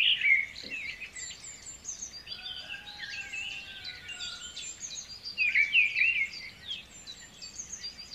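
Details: Lure recording of white-rumped shama song meant to stimulate a stressed bird that will not sing: busy high twittering and chattering notes, with loud clear whistled flourishes at the opening and again past the middle, and a steady faint background hiss.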